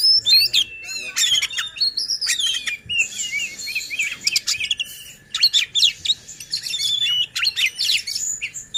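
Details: Oriental magpie-robin singing to provoke other magpie-robins and rouse reluctant or contest birds to sing: a loud, rapid run of varied high whistles, sharp chirps, and buzzy trills, with short pauses between bursts.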